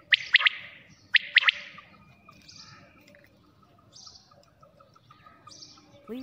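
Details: Night-time quail call: two crisp, rapid three-note phrases at the start, followed by long near-silence with only faint high notes.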